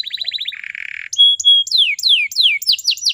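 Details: Canary sound, said to be a female, used to prompt young males to sing: rapid high trill, a buzzy rolling section, two clear level whistles, then a series of quick downward-sweeping notes.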